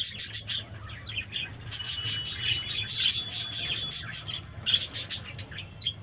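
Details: Pet budgerigars in a parrot colony aviary chatter in a steady stream of quick, high, scratchy chirps and warbles.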